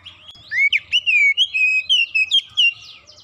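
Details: A single lure sound sets an Oriental magpie-robin singing fast: a chain of about a dozen loud, clear whistled notes, each swooping or wavering, delivered in steady rapid rhythm.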